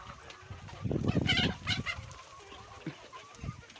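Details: Screaming chickens in a farm barnyard coop while trying to lay eggs: a loud harsh squawking burst lasting about a second, followed by a shorter rasping cry and scattered softer clucks.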